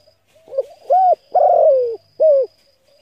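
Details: Cooing spotted dove, played to excite decoy birds: a quiet lead-in note, then a smooth arched coo, a long grating descending coo and a short closing coo. A faint high whine is heard throughout.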